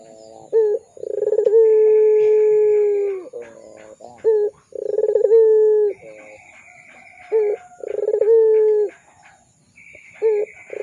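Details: Lure recording of a Barbary dove singing pelung coos for young birds: repeated sequences of a buzzy pulsed roll followed by a long even coo, about three cycles, with faint gurgles between.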